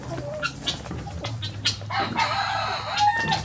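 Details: Chickens streaming out of the coop in the morning, scattered clucks giving way to a longer, strained, noisy drawn-out call from one bird.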